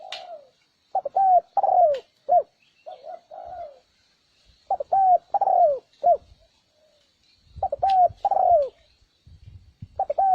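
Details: Spotted dove lure sound meant to provoke wild birds: clipped coos and short falling croos in broken, uneven bursts. Scattered clicks and knocks mix in, along with a faint high hiss.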